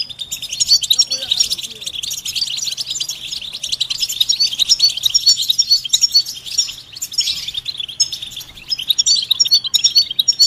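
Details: European goldfinch song with mating and readiness calls, used to stimulate silent males to sing; dense high twittering and repeated chirps run almost continuously, with short bright trills scattered throughout.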